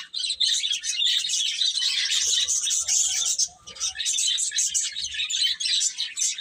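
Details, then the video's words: Eating and playing chicks fill the air with piercing, closely packed peeps. Several birds call at once, with one brief pause midway. "Cute Chicks Eating and Playing | Baby Chicken Chirping Sounds"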